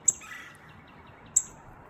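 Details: Male northern cardinal at a spot where food was just put out gives two sharp, high, metallic chips about a second and a half apart over faint outdoor background noise; a woodpecker is also present.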